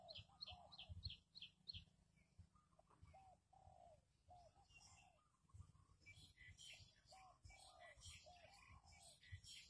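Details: Spotted dove used as a decoy to lure wild doves for trapping: a string of low, hoarse cooing phrases, with rapid high chirping from other birds at the start and a burst of bright twittering near the end.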